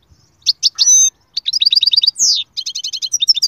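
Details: Energetic goldfinch song: a few chirps, a drawn-out nasal note, then a run of rapid rising twitters, a sliding buzz, and a neatly repeated chattering trill.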